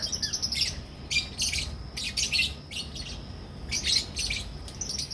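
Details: Shrill lovebird chatter in a Pakistani breeding colony of albino red-eyed and personata red-eyed birds: short bursts of rapid high chirps about every second, with brief pauses and a low background hum.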